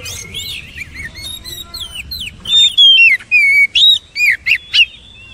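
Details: Training recording of Oriental magpie-robin song: quiet chirps and high slurred whistles at first, then loud, clear whistled phrases, each a short falling or rising slur, repeated in rapid bursts about every half second.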